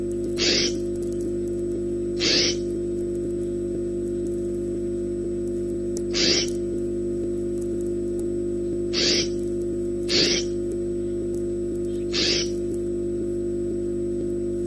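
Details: Peregrine falcon on a falcon cam in Orange, New South Wales, gives six harsh, rasping screeches, each a short burst, spaced unevenly over about twelve seconds, over a steady electrical hum.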